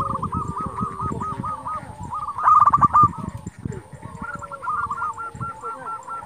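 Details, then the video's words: Actively singing local zebra dove, played to make rival doves answer: long runs of quick, even cooing notes, a loud burst in the middle, and a fainter second dove calling in the background, with low rumble. "Perkutut lokal gacor Sekali Putar Lawan Pasti Emosi Langsung Nyaut"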